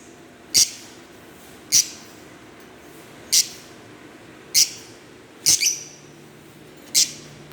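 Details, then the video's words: Green Fischer's lovebirds chirping: sharp, high, clipped chirps spaced roughly a second apart, six notes over a quiet steady background hum. "Lovebird Singing & Chirping sounds -Green Fischerbirds"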